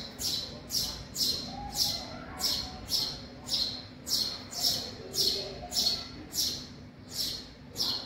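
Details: Young house sparrows of a family inside a garage, uttering loud, high, slightly buzzy downslurred chirps in a steady series about every 0.6 seconds, with a low hum beneath.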